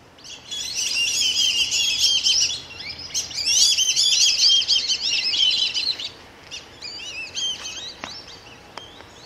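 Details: A flock of black-bellied whistling ducks flying over a central Florida backyard at sunset after leaving a lake roost to feed in fields: shrill, overlapping squealing whistles in two dense bursts, then scattered single notes.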